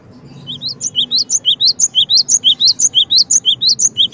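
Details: Cinereous tit delivering a long unbroken series of bright two-part phrases, each a short lower whistle followed by an upward-sweeping higher note, repeated steadily and rapidly for about four seconds.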